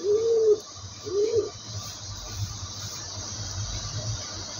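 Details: Two smooth low pigeon coos, each a short arched hoot, followed by several seconds of steady background hiss.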